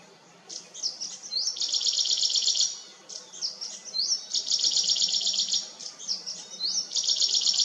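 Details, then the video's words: A rare Blyth's reed warbler sings noisily: high, bright phrases, a quick upslurred note leading into a rapid buzzy trill, repeated about every two seconds between scratchy chattering notes. "Blyth's Reed Warbler"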